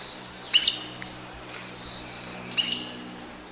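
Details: Collared aracari (Pteroglossus torquatus) giving its main call, two short, simple, high, sharp whistles about two seconds apart, over a faint steady hiss.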